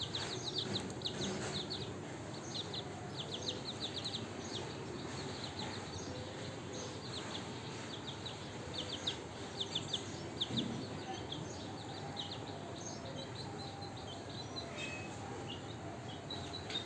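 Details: Morning flock of chicks being fed, including mint leaves, keep peeping: dense runs of short high descending cheeps early on, thinning to scattered calls later over a constant low hum of background noise.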